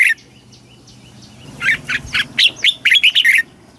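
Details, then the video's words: Red-whiskered bulbul, a caged bird in Thailand, giving southern master-style song meant to excite other caged birds and tutor young birds; one brief note, a quiet gap, then a fast bubbling string of about ten bright notes. "เสียงนกกรงหัวจุก สำหรับต่อ หรือ เปิดให้นกคึก เสียงเพราะๆ"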